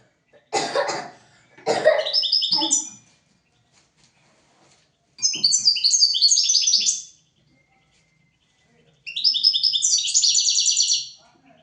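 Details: European goldfinch singing on a tutor recording for training goldfinches and canaries: loud rough broadband bursts open, then two separate high, fast, tinkling twittered phrases of about two seconds each with silence between.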